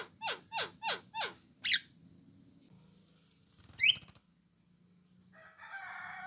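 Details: Javan myna with orange eyes calling to draw other mynas into replying: four quick, evenly spaced descending whistles, a harsh squawk, a later upward squeal, then a rooster crowing in the background at the end.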